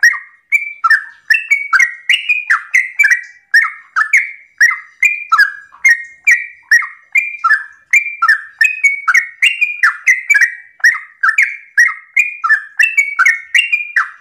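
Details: Sooty-headed bulbul in unbroken morning song, played so other bulbuls reply: a long, dense stream of bubbly whistled notes, some rising and some falling, each starting with a click, about three notes a second throughout.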